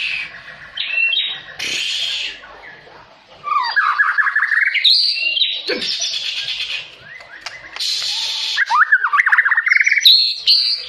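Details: White-rumped shama, roused by a rival, singing harsh rolling and rapid-fire phrases: bursts of buzzy high notes mixed with clear rising and falling whistles, delivered in quick, varied sequences with short pauses.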